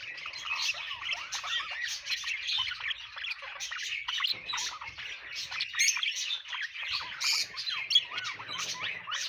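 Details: Budgerigars chirping together in a dense, continuous chatter of overlapping warbled notes, quick rising and falling twitters and short squeaks, with no pause across the whole stretch.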